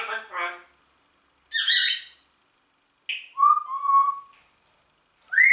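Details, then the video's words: Talking Congo grey parrot alternating speech-like murmurs, a harsh squawk, and a long wavering low whistle, ending with a rising whistle. "sprechender Papagei Rudi Guten morgen"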